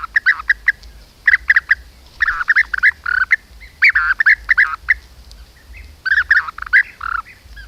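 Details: Group of European bee-eaters hunting bees beside beehives at an apiary in Corte Franca, camera-trap recording: loud, overlapping bursts of rolling, liquid trilled calls in rapid clusters from several birds, over a steady low hum.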